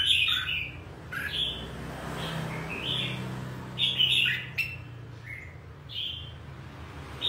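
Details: Red-whiskered bulbul singing in lively fashion: short bright whistled phrases between 2 and 4k, each with a sharp upper note sliding downward, in bursts every second or so over a low steady hum.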